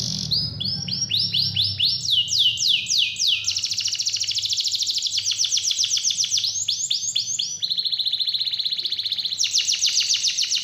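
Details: Canary singing, a recording meant to coax a lazy canary back into full song: rapid rolling trills of repeated falling notes, shifting between phrases of different speeds and pitches, continuous and loud, with a faint low hum early on.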